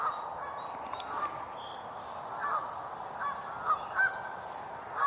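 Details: Geese calling outdoors on 7 May 2022, out of the recordist's view: a series of short, nasal, harmonic honks at irregular intervals, louder near the end, with faint high chirps from other birds over a steady background hiss.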